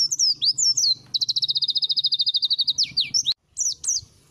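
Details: Song material of a white-eye: high looping whistles, then a long, even trill of quick repeated notes, followed by sweeping slurs and a sharp click.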